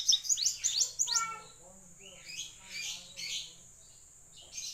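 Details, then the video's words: Blue-eared kingfisher, known locally as tledekan laut, singing energetically: a fast series of sharp high chirps and trills repeated about three per second in the first second, then softer warbling phrases, with a faint background hum. "Burung tledekan laut gacor nih"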